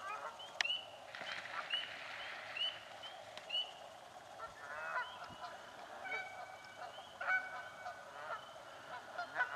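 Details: Canada geese in a swamp fighting over nesting spots; quieter, more distant honks come in scattered bursts over steady background hiss, with a few sharper clicks.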